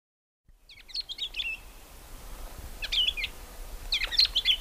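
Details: Crimson-winged finch calling: short bursts of bright, chirping notes in tight clusters, sounding at roughly one, three and four seconds, each burst a quick jumble of sharp twittering tones over a soft background hiss.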